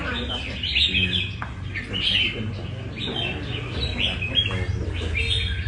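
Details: Red-whiskered bulbul from Nam Đông, a caged bird being lightly tested at a café in Da Nang, Vietnam. It gives bright warbled phrases of short rising and falling notes, with background chatter and low rumble.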